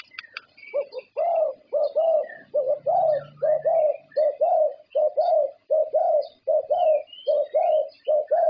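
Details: Champion Thai zebra dove, a winner of many prestigious contests whose voice matches the judges' standard, gives a long run of low, mellow coos in short phrases with steady rhythm, while other small birds chirp faintly higher up.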